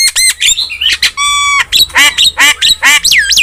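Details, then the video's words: Starling singing vigorously as a lure for caged starlings: rich looping whistles, a steady flat nasal tone, then rhythmic harsh squawky notes about twice a second and a final swooping whistle. "OCEHAN JALAK GACOR"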